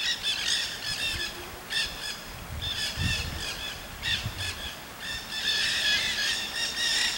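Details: Wild Nanday parakeets (Aratinga nenday) in Solstice Canyon, Malibu, California, on 9 March 2017, give harsh, grating flock screeches in quick overlapping bursts, several birds at once, over a low outdoor rumble.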